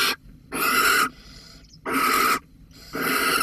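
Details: Barn owl from Holten, 13 May 2020, insisting on a mouse: three loud, noisy snore-like hisses, each lasting about half a second, spaced a little over a second apart.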